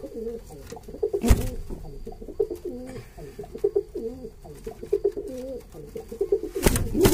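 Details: Pigeons cooing indoors in a small room, repeated low warbling coos in steady succession throughout, with a few sharp knocks and thumps near the start and end.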